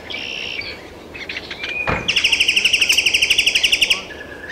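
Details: Great-tailed grackle, Taos, New Mexico, 6/17/2017: a brief buzzy note and a sliding whistle, then a fast, even rattle of about twenty clacking pulses over two seconds, ending with a short whistle.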